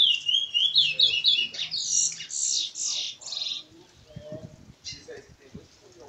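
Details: Curió (lesser seed finch) singing in the 'canto seguido' continuous style at Maiobão, Paço do Lumiar, Maranhão. It gives a rapid run of bright, high whistled and warbled notes for about three and a half seconds, followed by quieter low clicks and knocks.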